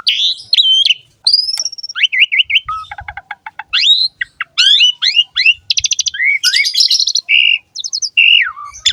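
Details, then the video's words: Jalak suren, the Asian pied starling, in varied ngerek singing: swooping whistles, rattled trills, buzzy rising notes and squeaky chirps strung together quickly with short gaps. "BURUNG JALAK SUREN GACOR NGEREK ISTIMEWA"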